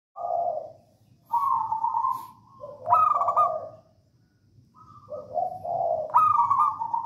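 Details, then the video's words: Local wild Javanese zebra dove in songgo ratu style, singing steadily, used as a lure to get other doves singing; mellow mid-pitched coos alternate with louder, rapidly pulsed rolling phrases, silent gaps between, faint low rumble underneath. "Perkutut lokal alam gacor songgo ratu"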